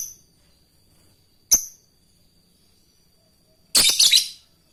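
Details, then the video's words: Fighter lovebird calling an opponent: sharp, very high chirps followed by a loud, rough, grating squawk. The calls serve as training sound for other lovebirds. "Suara burung Lovebird fighter memanggil musuh lanjut ngekek"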